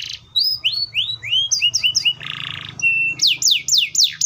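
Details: Canary phrase of rising slurred whistles, quick double chirps, a harsh buzzy section, a flat whistle and loud falling sweeps repeated rapidly.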